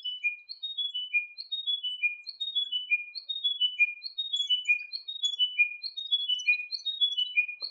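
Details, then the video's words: Chiming Wedgebill, a species of taller, dense shrubland in the west of central Australia, usually in pairs: a clear bell-like phrase of four or five notes stepping down the scale, about once a second, with a second bird chiming in later. "Chiming Wedgebill"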